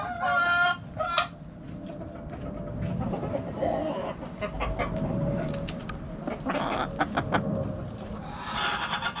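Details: Backyard chickens in a coop, hens and roosters together: a harmonic squawk at the start, then scattered short clucks and soft murmuring over steady low background noise, another loud cackle near the end.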